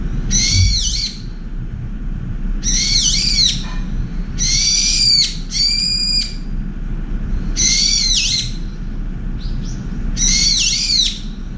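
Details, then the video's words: Brown-eared bulbul, angry after a turtle dove pushed it off a window feeder, keeps up a shrill screaming attack: six rasping, ear-piercing bursts at roughly two-second intervals, one more even-toned, steady low noise behind. "직박구리와 산비둘기 전투의 시작, 직박구리의 샤우팅공격"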